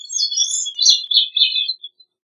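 A gray-cheeked thrush sings one thin, high, buzzy phrase of about two seconds. It jumbles and wavers, then slurs lower toward the end, with no other sounds.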